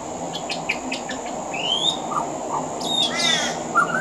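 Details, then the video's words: Pied butcherbird performing song with mimicry of other Australian birds from a veranda: short chips, a rising whistled sweep, low mellow notes and a harsh harmonic burst near the end. "Mimicry of the pied butcherbird"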